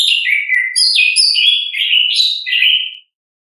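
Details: Orange-headed thrush singing continuously in natural ngeplong style, a rich, fluid warble of overlapping whistles stepping up and down for three seconds before falling silent.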